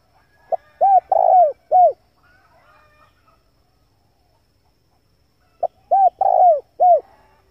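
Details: Male spotted dove cooing, used as a lure for wild doves: two low, mellow coo phrases about five seconds apart, each a short clipped note, two arched hoots and a longer rolling coo, in a quiet setting.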